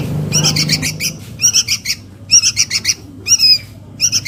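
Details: Lure recording of a sooty-headed bulbul nestling calling its mother: scratchy, rasping chirps in short groups, some with a slight downward slur, over low background noise at the start.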